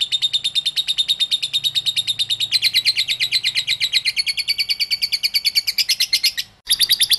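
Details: Lure recording of a lovebird's ngekek song for prompting other lovebirds to sing. Quick, high, chattering pulses climb slightly in pitch partway through, cut off briefly near the end, then resume.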